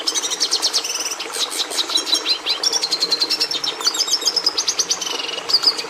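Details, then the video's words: Red siskin song: dense, rapid high-pitched chatter of trills, buzzy rattles and short whistled notes, rhythmic and sustained throughout, ending with a brief sharp note, over low steady noise. "Canto do Tarim da Venezuela"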